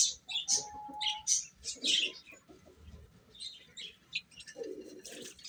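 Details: Baby chickens eating: high, thin peeping chirps at irregular intervals, several overlapping, with softer lower clucking notes and quiet pecking sounds.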